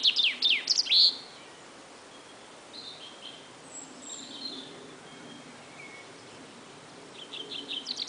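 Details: Futuristic-sounding songbird likened to laser beams: a loud burst of sharp, downward-sweeping high zaps opens, followed by quieter faint notes, then another run of rapid laser-like pulses builds at the end over steady background hiss.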